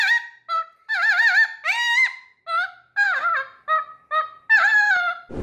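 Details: A Mealy Amazon, ranked among the world's loudest birds, gives about ten loud, nasal squawks in quick succession, several wavering up and down, separated by brief pauses.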